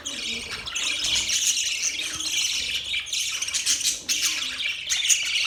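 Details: Lively budgie chatter: overlapping high, buzzy chirps and squeaky trills pour out continuously, with slight dips in intensity before resuming.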